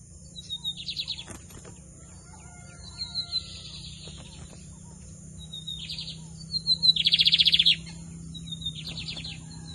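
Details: Lined seedeater (bigodinho) singing: a thin high introductory note followed by a short buzzy trill, phrases repeated every one to two seconds, the last trill longer and louder, over a faint steady hum.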